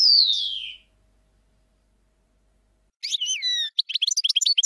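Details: European goldfinch singing, probably a caged bird: a loud descending drawn-out whistle, a pause of about two seconds, then bright liquid twitters and quick chirps of rising and falling notes.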